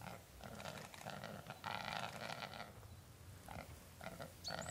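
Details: A displaying capercaillie × black grouse hybrid male at Halleberg, Västergötland, Sweden, on 27 December 2008 gives harsh, rasping, hissing bursts with low croaking undertones, in two long runs and a few short ones, amid some background noise.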